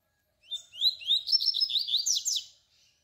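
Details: Double-collared seedeater delivering one canturia song phrase meant to teach young birds: high, upslurred whistles run together into a rapid, chattering series over about two seconds, then silence.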